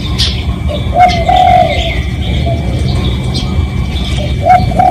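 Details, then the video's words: Spotted dove, real recording of a lure call for drawing in other doves: low hollow cooing notes near one second and again at the end, over a steady rumbling background with faint higher chirps. "เสียงนกเขาใหญ่ เสียงจริง ถ่ายจิง เอามาให้ฟังกันยาวๆ เสียงเป็นเสียงต่อ รับส่งได้เลย"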